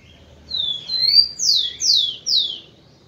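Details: Rufous-collared sparrow male song, used to stimulate females for breeding: high, clear whistles, a drawn-out slurred note followed by three quick down-slurred whistles in a row, over a faint low hum.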